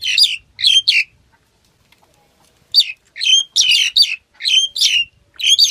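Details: Black-collared starling: three scratchy squawks, a silent stretch, then a lively sequence of loud, buzzy, chattering notes.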